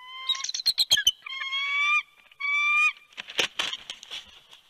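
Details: Bald eagle pair at their nest in Big Bear, California, 28 January 2020, during a night-time incubation shift change. The male calls loudly to the female flying nearby, urging her to the nest. Rapid chittering notes, then two long, flat, whistled squeals and a final noisy burst.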